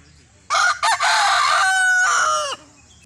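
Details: Desi rooster from India giving one full crow lasting two seconds: a short clipped opening note, a brief break, then a long harsh sustained phrase that drops away at the close; quiet background.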